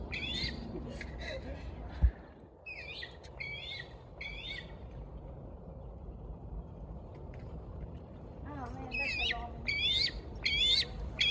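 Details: A bald eagle screams after defecating: bursts of thin, high, chittering whistles in quick stuttering runs, going quiet midway then returning more loudly; a person speaks briefly.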